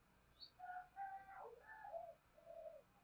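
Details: Spotted dove cooing as a lure to prompt other doves to answer. A faint, distant phrase of several mellow coos, rising then falling, is heard against background noise.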